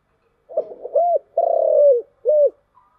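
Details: Mellow cooing of a spotted dove, voiced in the 'giọng thổ' style used for luring (chiêu gù). A soft lead-in is followed by a rounded coo, a long trilled purr and a short final hoot. The background is quiet.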